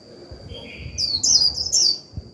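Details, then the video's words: Decoy Japanese white-eye giving líu song to stimulate other birds: a soft lower buzzy note, then a brief run of bright high warbling twitters, with a steady high tone and low hum behind. "Khuyên mồi líu vừa phải kích bổi líu ngay!"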